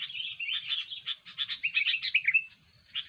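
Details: Kutilang, or sooty-headed bulbul, in excited song used to lure birds for trapping. Rapid buzzy chatter runs into a few bright whistled notes, then a short pause and a final chirp, over a faint low rumble.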